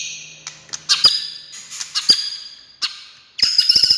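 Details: White-rumped shama song used to provoke silent shamas into singing: sustained high whistled tones broken by sharp clicks and short bursts, ending in a dense buzzy rattle of rapid notes.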